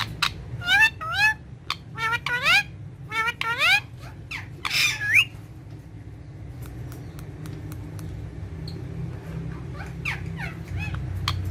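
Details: Green ringneck parrot calling at its mirror: clusters of rising, stacked whistled notes and a few harsh bursts in the first five seconds, then near quiet with faint scattered clicks.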